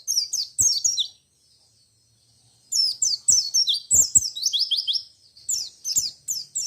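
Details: Ngalas ngerol white-eye song that sets off other white-eyes: a short run of thin falling chirps, a pause, then a long fast chatter of high slurred notes.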